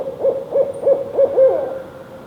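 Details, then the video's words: Male barred owl: five low, evenly spaced hoots, the last held longer and fading out, with a quiet background. "Male Barred OWL CALL"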